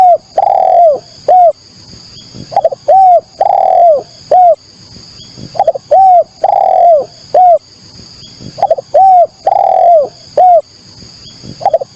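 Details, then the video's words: Spotted dove lure call: mellow, low cooing phrases of short notes followed by a longer drawn-out coo, repeated about every three seconds, with a steady high electronic whine in the background. "pancingan burung derkuku"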